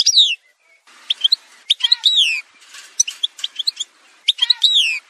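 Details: Algerian goldfinch in an edited song montage: sweeping, falling whistled slurs mixed with sharp chirps and buzzy twitters, with a slight background hiss between phrases.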